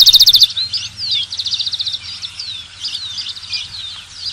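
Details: Rufous-collared sparrow (Zonotrichia capensis) gives a fast, high, dry trill, then a string of thin slurred whistles rising and falling, with a faint low hum behind.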